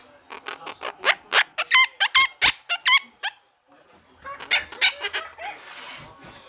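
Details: Pet parrot screaming in a small room: a quick series of sharp, harsh squawks with a few ringing, wavering shrieks, a short silence, then a rougher, noisier burst of calls.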